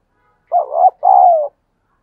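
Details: Loud, close coo from a decoy spotted dove at dawn, used to train pet birds to call. It is a two-part phrase: a wavering husky note, then a longer, smooth, gently falling one.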